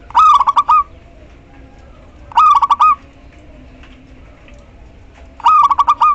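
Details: Female local zebra dove calling the male: three stuttering cooing phrases near one kilohertz, each a quick run of pulsed notes ending in a longer coo, spaced roughly two and a half seconds apart over a quiet background.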